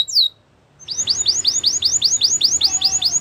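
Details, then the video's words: Belgian canary singing: a short high falling note, a brief pause, then a steady run of swooping, upward-slurred whistles repeated about four times a second, with faint low background hum. "Belgian canary singing"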